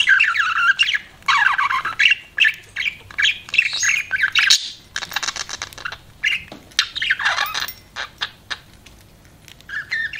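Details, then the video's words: Pet budgerigar warbling in quick chirpy phrases and squeaky notes, bursts coming every second or so, quieter toward the end. "CUTE BUDGIE PARROT"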